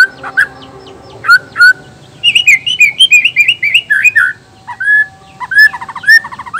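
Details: Male white-rumped shama of the black-tailed Nias form, singing to provoke rival males: loud clear whistled notes, some rising and some falling, mixed with quick sharp chirps and a rapid warbled run in the middle.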